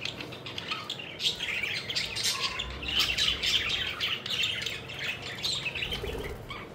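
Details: Pet budgerigars having fun and flitting about fill the air with steady, bubbling chatter of buzzy warbles and short chirps, rising in intensity midway.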